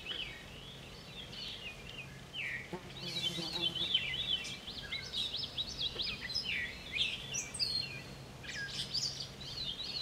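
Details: A catbird sings on 10 July, pouring out a continuous rambling medley of squeaky whistles, downslurred notes and rapid scratchy warbles, phrases changing constantly, over faint low ambient rumble.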